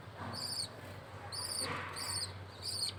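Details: Chick of a budgerigar fed by the male: four short, harsh high-pitched calls in quick succession over a faint steady hum.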